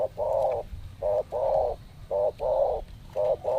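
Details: Wild spotted dove (tekukur) lured in what is thought to be mating season, birds arriving in pairs; soft low hollow coos in groups, a short note followed by a longer drawn coo, repeated steadily.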